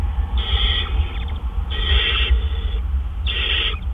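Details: Owl bringing food at 4:03 AM on April 12, 2013: three strong, drawn-out hissing screeches, each about half a second long and roughly 1.5 seconds apart, over a low background hum.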